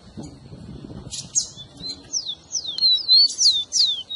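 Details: Rufous-collared sparrow song meant to stimulate a kept bird: after a soft start with a few buzzy bursts, a rapid series of bright descending whistles follows, closely spaced and ringing.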